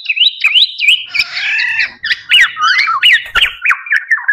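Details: Black-naped oriole, locally kepodang emas or kepodang jawa, heard in a recording used as a lure for trapping. Quick wavering whistled notes give way to a harsh, nasal, drawn-out squawk, then a busy run of rising and falling chirps broken by sharp clicks.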